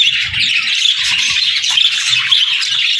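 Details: Lively budgie chatter of sharp high chirps and buzzy warbles from several birds at once, with soft low murmuring sounds beneath the twittering.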